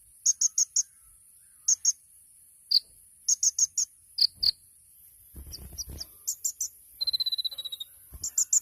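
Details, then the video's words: Champion kolibri ninja sunbird, tutor recording: scattered clusters of high chirps and single lower notes, a short fast trill near the end, and faint low knocking in the background. "MASTERAN KONIN TEMBAKAN MEWAH | SUARA BURUNG KOLIBRI NINJA JUARA"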